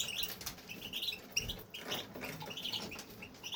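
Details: European goldfinch kept in an aviary, a male in continuous song: quick high chirps and twitters strung together, bright liquid notes broken by short gaps, light wing and perch rustles in the background.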